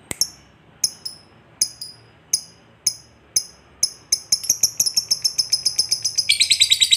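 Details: Lovebird chatter used to goad a lazy lovebird into song: several separate sharp, high chirps spaced under a second apart, then speeding into a continuous shrill trill that intensifies at the close.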